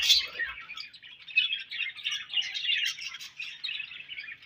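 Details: A budgie chorus keeps up a steady, mid-volume warble of chirps and scratchy trills with no long breaks.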